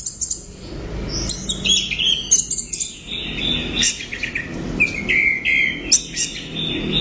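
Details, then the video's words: Orange-headed thrush, called anis merah, singing a loud continuous medley of high whistles, trills and sliding notes, with a faint low background hum. "Suara Burung | ANIS Merah Gacor Volume Keras Teler Mantap"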